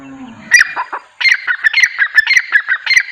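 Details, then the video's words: Francolin among a group of nine calling naturally: a short opening burst, a brief pause, then a rapid train of harsh grating notes, about four per second, loud and steady. "9 Francolin Calling Sound | Non Stop Teetar Boli"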